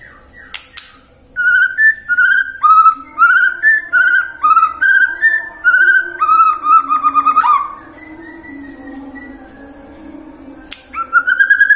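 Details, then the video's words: White-rumped shama lure song for prompting morning, midday and afternoon singing. Rich whistled phrases of several linked notes repeat about every second, followed by a softer low warble, then clicks and a rising whistle at the end. "PANCINGAN MURAI BATU AGAR BUNYI PAGI, SIANG DAN SORE HARI"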